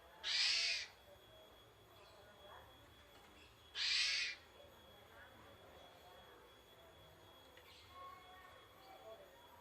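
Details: Javan pied starling basic song: two loud, grating hiss-like bursts roughly three seconds apart, followed by quieter twittering and soft chirps from other birds in the background.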